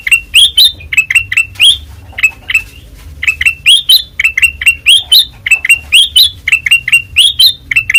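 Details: Kutilang emas with white eyes giving loud, clear ngeplong song: short sharp chirps grouped in quick clusters, some notes sweeping upward, repeated steadily with brief pauses.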